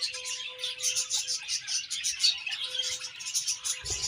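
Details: Happy chirping from a budgerigar colony: a continuous high, busy stream of twitters and short warbled chirps, over a faint steady hum.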